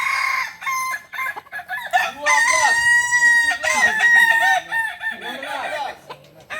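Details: At a joint practice session in Solok, a Kokok balenggek rooster gives a loud sustained crow that holds level, then breaks into a string of quick stepped notes, while several other roosters crow in the background.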